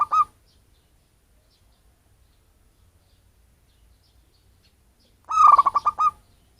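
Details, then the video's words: Zebra dove of local wild stock, recorded as a bird-luring sound: the clipped end of one phrase, then a long silence, then one full rolling series of fast cooing pulses. "suara pancinggan perkutut lokal cocok untuk pemikat burung"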